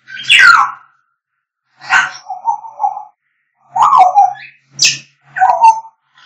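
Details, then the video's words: African grey parrots vocalising: loud harsh squawks and falling screeches mixed with short mid-pitched whistled phrases, coming in bursts of about a second with brief pauses between them. "African grey parrots singing"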